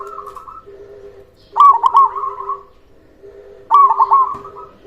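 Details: Vigorous local zebra dove song meant to rouse quiet doves and draw replies; two loud stuttering coo phrases about two seconds apart, each trailing into a longer rolling coo, with low steady cooing from other birds.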